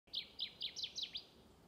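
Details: Kirtland's warbler song, Michigan, 2020: six loud, emphatic chirped notes about a fifth of a second apart, growing stronger and sweeping downward toward the end, over faint background hiss.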